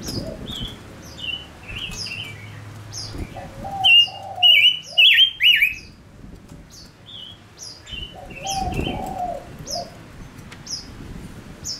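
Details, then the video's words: Singing male Gouldian finch used as a decoy to lure wild birds: rapid series of high descending chirps and loud clipped notes in the middle, with occasional low cooing phrases. "Chim ngũ sắc mồi hót cực hay kích bổi nhanh nổi | chim ngũ sắc hót | ngũ sắc trống"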